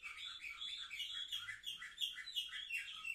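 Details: Seven-month-old canaries indoors, filmed 10 November 2023, singing a dense continuous warble of quick repeated chirps, about three per second, with rolling buzzy phrases throughout.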